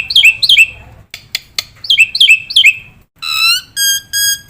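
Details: Young cage mynas are trained with this Black-winged myna masteran song: paired downslurred chirps, clicking notes, then long, steady, flat whistles in a slow series.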